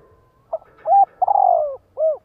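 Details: Spotted dove cooing, a recording played to provoke other males into cooing back: a short soft note, a steady coo, a longer rolling coo sliding downward, then a final rounded coo. The background is quiet.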